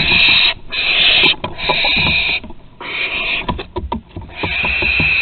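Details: Young barn owls learning to master flight at Théding, 21 September 2020: harsh, hissing screeches about a second long, repeated with short gaps, mixed with knocks and scraping clicks.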